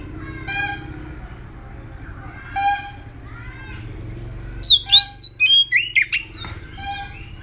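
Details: Oriental magpie-robin lure song to set off other magpie-robins: soft, faint harmonic chirps early on, then a loud phrase of bright, sliding whistles and a few rasping notes near the end.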